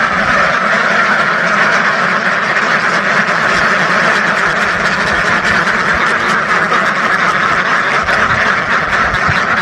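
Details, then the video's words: Thousands of ducks quack without pause, a heavy, steady babble of overlapping calls that stays at the same loudness from start to end. "SUARA BEBEK WEK WEK ASLI KETAWA , DUCK SOUND EFFECT , SUARA BEBEK ASLI SUARA RIBUAN BEBEK"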